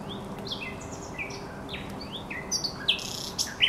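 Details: Song of a thrush nightingale at the Żerań Canal, recorded 24 April 2022: a string of varied short whistles and slurred notes, some rising, some falling, then loud sharp clicking notes near the end.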